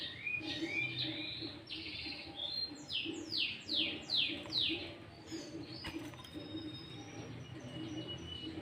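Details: Bulbul song used as a trapping lure and tutor recording, with green leafbird fill phrases. Short whistled phrases lead into a series of sharp, falling sweeps, then a thin sustained high tone and a soft click.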